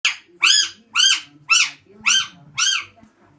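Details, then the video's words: An Alexandrine parakeet gives six harsh, nasal squawks, about two per second, each a loud arched screech, with a faint low indoor hum beneath. "Alexandrine parrot makes a weird noise"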